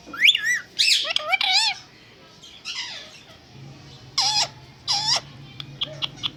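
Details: Parrot speaking in scratchy, warbling syllables that sweep up and down, with quiet gaps between short bursts and a low steady hum in the room behind.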